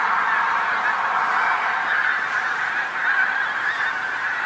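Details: Pink-footed Geese in a big flock come down onto a roadside field on the North Norfolk coast at dusk; countless honks blend into an unbroken, steady wall of goose calls.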